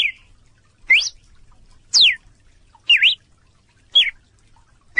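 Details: A Red-cowled Cardinal in the Brazilian caatinga sings loud, clear whistled notes about one per second, each a quick slur that swoops up, down or wavers, over a faint low rumble.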